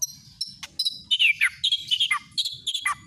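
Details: White-rumped shama song used as a lure to provoke singing: high, busy chirps and quick descending whistled slurs in short bursts with brief gaps.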